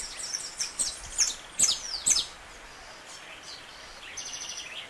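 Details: Saffron finch singing the strong, snapping canto estalo style: a few sharp, bright high notes spaced about half a second apart, then quieter high whistles and faint background noise.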